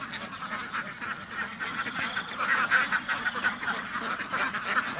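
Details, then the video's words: Ducks kept on a farm, a dense flock chorus of rapid, raspy, overlapping quacks and chatter, pulsing continuously with no pause. "duck farm ducks house بطخ بطخوں کا فارم"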